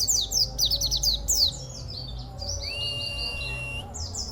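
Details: A caged local Oriental white-eye, prized for its odd, rarely heard song character: a burst of fast, high, downslurred chirps, then a long, even whistle, then a few more chirps.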